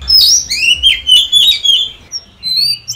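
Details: Kept Oriental magpie-robin (Copsychus saularis) singing for voice training, with loud sweet whistled phrases, several long drawn slurs, then a brief pause before a softer closing whistle.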